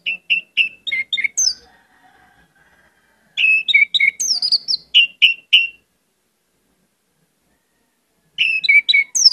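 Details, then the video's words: Orange-headed thrush in full song rich in varied elements: quick runs of sharp whistled notes mixed with high squeaky slurs, repeated in bursts after pauses of about three seconds. "pancinagan anis merah gcor banyak isian"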